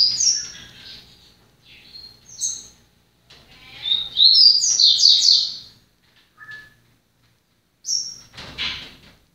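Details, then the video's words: Several short bursts of yellow-bellied seedeater (papa-capim) song: high sweet chirps and one loud run of fast sliding notes midway, ending with a high chirp and a brief rough noise. "Papa capim El TANK entrando em ordem"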